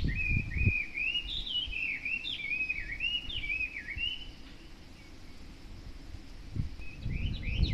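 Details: Hwamei, a bird that sings every morning from a hedge by a house while staying hidden, delivers a string of loud, looping whistled phrases for about four seconds, pauses, then resumes with rising whistles; low background rumble throughout.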